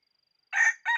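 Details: Red junglefowl decoy rooster calling to lure wild fowl, January 2021; after a faint steady tone, a brief harsh crow phrase begins, broken by a short pause before a second burst.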